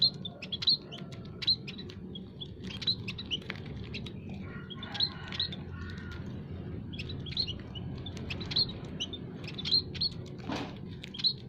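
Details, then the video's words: Several munias (scaly-breasted, Javan and other emprit species) in an aviary give thin, high, piping chirps in quick overlapping bursts about twice a second, over a low background hum. The recording is used as a lure call. "burung emprit kaji,emprit peking,emprit jawa full masteran kicau pikat"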